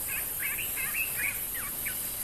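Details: Yellow-bellied Greenbul calling by a flowering sickle bush in the Lowveld bushveld, Rietspruit Game Reserve, South Africa, 14 January 2024: a run of short chattering notes with quick up-and-down inflections, about three or four a second, over steady hiss; a Sombre Greenbul follows.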